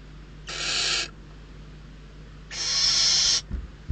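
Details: Two harsh, hissing screeches from barn owl chicks begging in a Riet Vell reserve nest, Ebro Delta, after days of food shortage; the second longer, nearly a second, followed by soft thumps.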